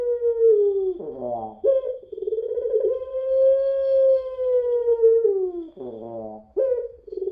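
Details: Puter pelung dove crying in long notes, used as a lure: two extended, smooth coos, each broken off by a rough, sobbing catch, with the voice rising back at once.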